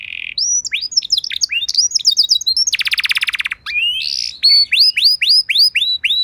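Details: Canary training and prompting song for other canaries: a flat whistled note, varied slurred chips, a loud rapid buzzy rattle, then a series of evenly spaced rising whistled notes.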